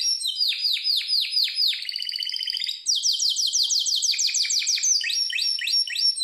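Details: Training song of a Harz Roller canary: a series of falling whistled notes, a buzzy rolling trill, then rapid high repeated notes and finally rising chirps, all continuous and loud with nothing else audible.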